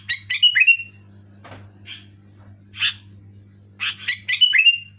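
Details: Sooty-headed bulbul singing loud and clear: bursts of bubbly, slurred whistled notes at the start and end, with a few short separate chirps between them, over a steady low hum.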